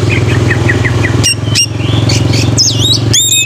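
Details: Song of an oriental magpie-robin, used to lure young birds into fast singing, fighting and tail-spreading: short chirps, then loud sweeping whistles and looping notes, over a steady low engine drone.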